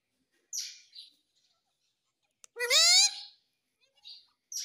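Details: Pet parrot saying "mummy": one long rising harmonic voice-like phrase in the middle, framed by short breathy hisses and quiet gaps.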